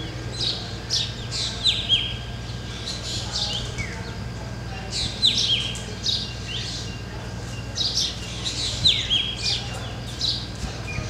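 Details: Several black drongos perched together on a jungle tree at Ranthambore, Rajasthan, calling in bursts of sharp chirps and bright descending whistles, with short quieter gaps between bursts and a faint low hum.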